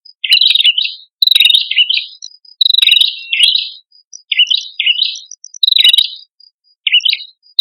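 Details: Male and female prinia, known locally as prenjak kepala merah, singing lively as a lure for flocking birds: bursts of bright chirped notes, sharp and slurred, in clusters about every second, over a thin steady high tone.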